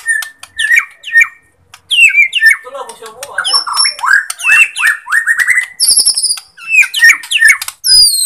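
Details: White-rumped shama, Borneo type, singing as a lure to provoke sluggish shamas: varied fast phrases of slurred whistles, chattering trills and harsh chips, with very high piercing notes breaking through and brief pauses between bursts.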